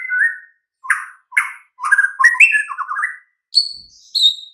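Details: White-rumped shama singing in a master track meant to get mute, lethargic birds to respond: spaced chirps, then a fast jumble of whistles and descending trills, ending with clear high whistled notes.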